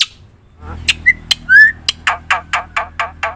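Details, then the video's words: Black-winged myna song played as a lure to set other birds calling; two clear whistled slurs followed by a steady run of harsh, rasping notes about every quarter second. "suara top jalak putih gacor - sekali putar bikin bunyi semua burung - masteran - pancingan"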